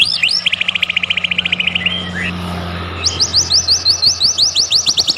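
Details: White-rumped shama singing busily, played as a lure to set other shamas singing: a quick even trill of clipped notes, a short break, then a higher series of rapid upswept notes, with a faint low hum behind.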